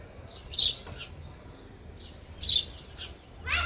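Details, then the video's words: Sparrow at a feeder while eating, uttering paired high chirps in two bursts separated by a short pause, then a rougher chirp at the close. "sparrow sound effect | ચકલી ઘર | chaklino avaj | sparrow eating"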